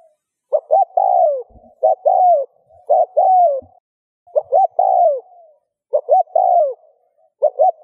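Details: Spotted dove cooing to get other doves cooing: five phrases of two clipped notes then a long downward-curving coo, roughly once every 1.3 seconds, with occasional faint low knocks.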